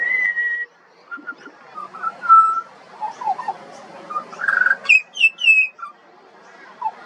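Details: A young pied butcherbird sings a varied run of short whistled notes, some low and mellow, others high and slurred, in an irregular string with a brief silent gap near the start.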